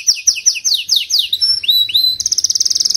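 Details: Canary song for training a canary weak in singing: repeated downward-swept notes, a few rising whistled slurs, then a rapid even trill.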